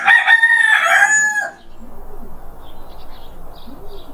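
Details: Morning crowing by a rooster, a rough, rasping cock-a-doodle-doo of about one and a half seconds. It ends in a quieter stretch with faint distant chirps and low soft calls.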